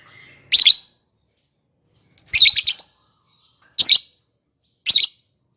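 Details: Lovebird chirping, used to coax a lovebird that rarely sings: piercing high squeaks, one a quick triple stutter, coming at irregular one-second gaps, with a faint murmur at the start.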